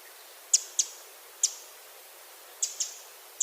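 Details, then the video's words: A Pacific wren gives sharp, high, clipped, harsh and distinctive call notes, singly and in quick pairs, about six in three seconds, over faint background hiss. "this is what a Pacific wren is supposed to sound like. Can everyone hear that?"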